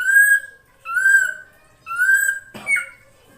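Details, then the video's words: Calls of a female drongo used to lure a male: three long, level whistles roughly a second apart, then a short scratchy note ending in a bent whistle. "SUARA BURUNG SRIGUNTING BETINA UNTUK MEMANCING SI JANTAN AGAR CEPAT GACOR"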